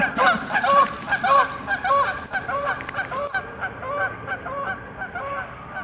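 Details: Flock of Canada geese honking loudly to each other while taking off and flying away; a rapid series of nasal, harmonic honks, many overlapping, loudest in the first two seconds, then quieter and more spaced as the birds move off.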